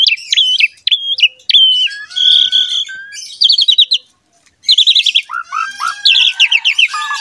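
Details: Javan pied myna (jalak suren) song played to prompt other mynas to sing: rich mix of whistled notes, buzzy chatter and rapid repeated trilled phrases, with a short pause midway.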